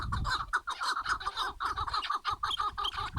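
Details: Chukar partridges calling: a steady run of harsh, clucking notes, roughly two per second, with a low rumble of background noise underneath.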